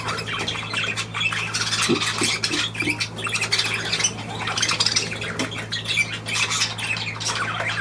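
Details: Budgerigars chattering continuously, a dense mix of scratchy squawks and quick warbled notes, with steady low electrical hum throughout.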